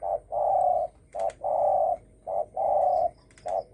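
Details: Spotted dove calling in the thổ sấm manner to provoke rival birds. Steady low coos alternate short and long, about once a second. Faint clicks sound between them.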